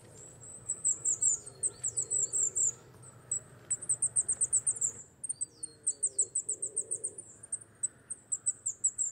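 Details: Coal tit singing: very high, thin notes repeated in fast rhythmic runs of about a dozen, a short pause between runs, with faint lower background hiss.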